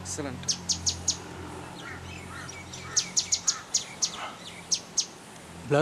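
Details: Grey-headed canary-flycatcher calling in a garden in Manali, Himachal Pradesh, India: two bursts of rapid, sharp high chips, with lower chirps from other birds, a faint low hum and a loud thump at the end.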